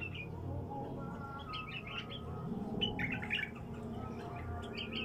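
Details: Newly isolated wild bulbul delivering scattered, chirpy, warbled notes in uneven bursts, partly masked by a constant low hum and background noise.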